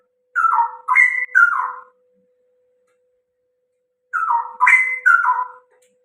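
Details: Loud song of a straw-headed bulbul: two matching bursts about four seconds apart, each made of three quick liquid, gurgling warbled notes that step up then fall, over a faint constant hum.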